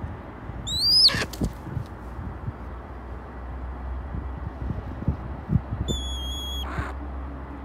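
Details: Wild male red-tailed hawk gives begging calls on 7 May while waiting to be fed raw chicken: two thin, high whistled cries several seconds apart, the first rising sharply and the second held level, over a low background rumble.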